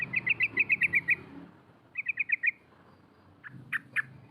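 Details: Female sooty-headed bulbul calling to provoke rivals: two rapid runs of repeated chattering notes, the first longer, followed by a few harsher notes, over steady background noise.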